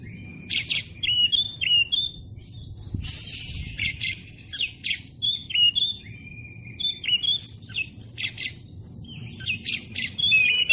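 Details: Caged-bird training song of an Oriental magpie-robin, tightly packed: repeated groups of scratchy buzzes followed by crisp up-and-down whistles, phrase after phrase with short gaps, one brief harsh noisy burst near the start.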